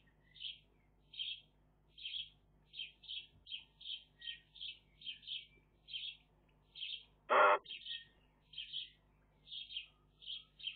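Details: Eurasian magpie chicks in a nest, picked up by a nest camera: short raspy calls repeated about twice a second at a steady rhythm, broken once by a single loud, harsh burst.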